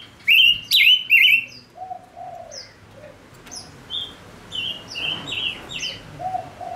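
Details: {'text': 'Male silver-eared mesia decoy bird singing to lure wild birds: loud, slurred whistled phrases that rise and fall, in quick bursts, with fainter high notes. A low cooing dove-like sound is also heard in the background.'}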